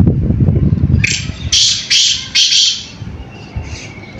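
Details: A captive black francolin in a cage gives a short run of five loud, harsh, grating notes in quick succession over about a second and a half, after low rumbling background noise.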